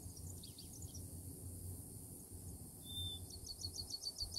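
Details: Bachman's sparrow in southeastern Florida singing a long, steady, high whistle, then a quick run of repeated high trilled notes. Other faint chirps come earlier, with low wind rumble throughout.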